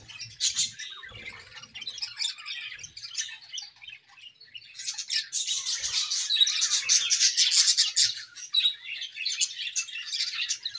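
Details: A pair of budgerigars in an aviary singing in the morning. Scattered chirps build into an intense, rapid chattering warble of fast repeated scratchy notes, then ease into softer twittering.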